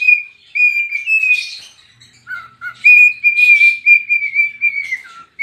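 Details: Cockatiel kept as a pet, dancing and singing: long level whistles broken by short lower notes and small raspy bursts, ending in a held whistle that slides down.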